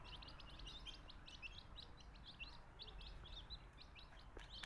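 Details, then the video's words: Baby chicks of a country chicken, kept as native backyard fowl in Tamil Nadu, peeping: many thin, high cheeps overlap continuously over a steady low rumble of background noise. "Cute Baby Chicks Chirping Sounds"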